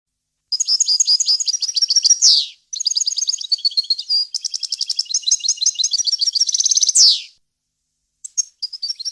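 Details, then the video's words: European goldfinch song in a varied wild-language style, recorded cleanly for teaching young birds: long bright twittering phrases with rapid buzzy trills, each ending in a sharp downward sweep, then a pause and a short resumption. "غناء طائر الحسون ، صوت صافي وخالي من الاخطاء لتسميع الفراخ"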